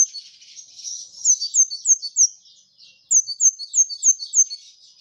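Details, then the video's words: Brown-throated sunbird singing a soft high twittering warble, then two bursts of quick sharp repeated notes, each burst of five or six chirps, very high and thin with a brief pause between. "Kolibri Ninja Gacor Masteran"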